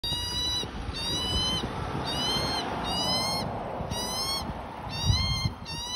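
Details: Australian magpie chick being fed by its mother, giving drawn-out, harmonic squawks, slightly rising and then falling, repeated about once a second over a steady, rushing background hiss.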